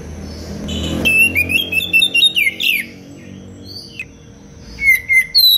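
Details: Oriental magpie-robin (kacer) singing a tight, spicy song meant as a tutor recording for other songbirds: quick strings of bright whistles and chips from one to three seconds, a pause, then short loud whistled notes near the end.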